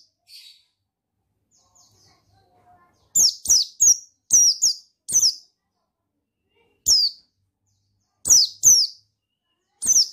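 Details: Buxtoni white-eye male singing to stir another bird into song: after a quiet start with faint chips, a rapid burst of high, falling, piercing notes, then scattered single and paired notes.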